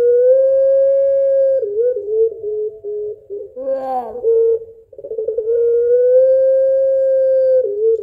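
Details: Barbary dove of the puter pelung type giving a long call to its mate: a sustained, pure, hooting tone held for seconds, broken midway by a gurgling, laughing flutter before the drawn-out note resumes.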